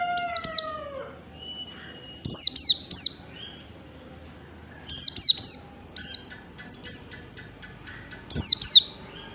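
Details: Oriental white-eye morning song in the ngalas style, made for pet birds to learn: rapid doubles and triples of high, falling whistles. Lower, slurred tones open the sequence, and faint ticking sounds are heard between the phrases.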